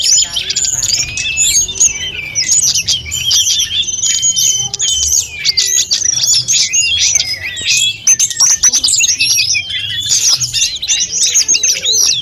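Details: Snowy-browed flycatcher in energetic full song for tutoring other birds, a long run of quick high-pitched twitters, rattles and whistled slurs delivered with barely any gaps.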